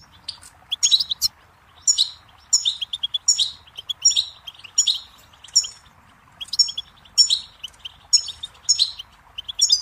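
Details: Goldfinch song used for teaching young songbirds: a long run of lively twittering, with tinkling, jangly phrases delivered every half second to second, a brief lull midway, then continued bright chattering.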